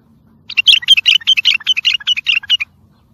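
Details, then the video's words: Bulbul song, labelled tayyariyat and sihan, played to train and motivate other bulbuls: one rapid phrase of about fifteen bright, slurred whistled notes, evenly spaced for about two seconds, with a faint low hum beneath. "سمع بلابلك طياريات سيحان روعه صوت ماينوصف للتخريج وتحفيز"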